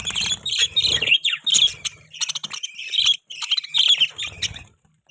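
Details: Pet budgerigars chirping in a lively, squeaky warble of rising and falling notes and rasps, broken into short phrases with brief pauses, faint low hum at times.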